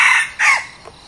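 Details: End of a red junglefowl decoy bird's crow: a harsh syllable fading into a short descending trailing note, then quiet background.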